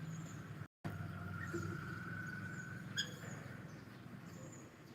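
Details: Cockatiel heard on a live stream, giving one sustained whistled note held for about a second and a half that ends in a short upward flick, over a steady low hum.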